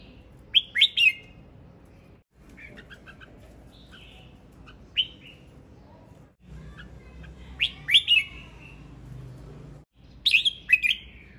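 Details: Male red-whiskered bulbul in song, repeating lively phrases of three or four quick, bright whistled notes that sweep downward, the bursts separated by short silences, over a quiet low hum.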